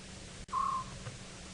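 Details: An African scops owl calling close by on an August 2017 sunset drive at Djuma Game Reserve, South Africa, with others calling nearby, gives one short, purring note, fairly low and steady, over a constant low engine hum.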